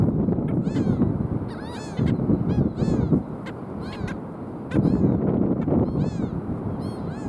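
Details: On South Padre Island, 5 April 2023, black skimmers give clusters of nasal, dog-like barks with arched, downslurred shape, several callers in irregular bursts, against gusting low wind or surf roar.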